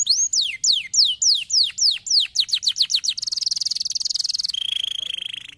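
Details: Caged canary singing, used to prompt quiet canaries to sing: repeated descending whistled sweeps that speed up, then a long rapid high rattle-trill and a steady lower trilled tone.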